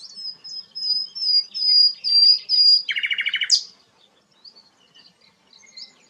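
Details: Sikatan londo flycatcher, a bird used to teach song to shamas, giving a series of clear high whistles repeated about twice a second, then a fast lower trill and a rising squeal, followed by quiet scattered chips.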